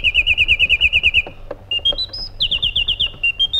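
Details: Song of a white-eared bulbul: a quick run of clipped whistles, a pause, then notes climbing in steps to a higher held whistle before another rapid string of bright repeated notes.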